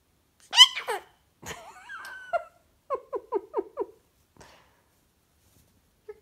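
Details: Goffin's cockatoo at home with its owner: a loud squawk opens, followed by a wavering whistled note and then a run of five quick, evenly spaced chirps before quiet.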